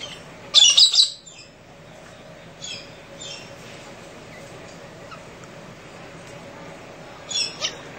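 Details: Galah cockatoos in the central Australian outback at early morning, screaming and mucking around. A burst of loud, harsh rasping screeches comes first, then fainter screeches around three seconds and two more near the end, over a quiet steady background hum.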